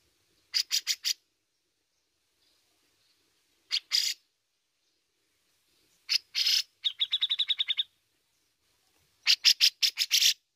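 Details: Cucak jenggot, the grey-cheeked bulbul, in besetan and ngepik style: clusters of harsh rasping bursts with long pauses, and one fast run of sharp repeated chips in the middle.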